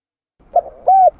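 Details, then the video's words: Spotted dove (tekukur) call used as a lure: a brief low hoot followed by a clear, rounded coo held steady then dropping slightly at the end, in near silence. "Suara tekukur pikat mp3 /suara burung tekukur / เสียงนกเขาใหญ่ / Turtle dove sound effects"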